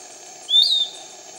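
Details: Piratic flycatcher, a canopy bird, calling near Iquitos, Peru: a single high, thin whistled note, slightly rising then level, about half a second long, over a steady hum of insects in the background.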